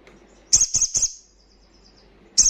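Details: Wild crimson sunbird giving three quick, very high metallic chips in a cluster, a fading thin tail, then a single sharp chip after a silent gap.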